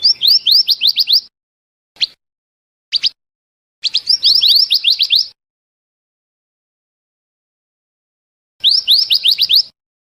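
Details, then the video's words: Bird-trapping lure recording of a scarlet minivet: fast series of clear upslurred whistles in several bursts, with a couple of single isolated notes between them and long quiet gaps. "suara pikat burung mantenan/merapi api dijamin langsung nyaut"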